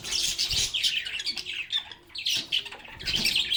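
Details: Playful lovebirds chirping together: rapid raspy chatter and thin squeaks pouring out nearly nonstop, with one short lull midway before the chorus picks up again.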